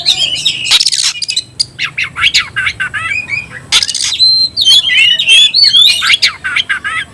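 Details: Caged oriental magpie-robin in 'tayoraky' style delivering a rapid, continuous string of varied whistles, harsh rasping bursts and quick chips, phrases tumbling one after another.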